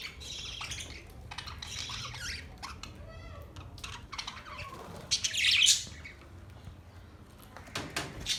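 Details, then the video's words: Pet budgerigars chatter in scattered high, buzzy chirps, then one loud harsh squawk burst, with softer rustling between calls. "Budgies singing | Budgies sounds | Budgies talking | Budgies chirping sounds"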